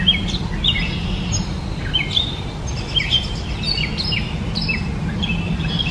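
A Gray catbird runs through a steady, jumbled string of short squeaky and chirping notes, several per second, over a constant low rumble of background noise.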